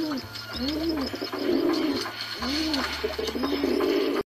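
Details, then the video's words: A pigeon coos in low, rolling, throaty phrases with a somewhat gloomy feel, rising and falling, repeating about every second and a half, with a faint background hum. "Pigeon sound.꾸룩꾸룩 비둘기소리.비둘기소리는 생긴거와 달리 좀 엄침하다"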